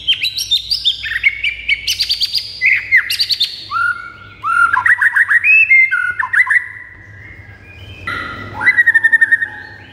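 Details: White-rumped shama song meant to rile pet shamas into fierce singing: varied whistled notes, rapid descending trills and sharp clicky bursts in quick changing phrases, some high and thin, others lower and fuller, with short gaps.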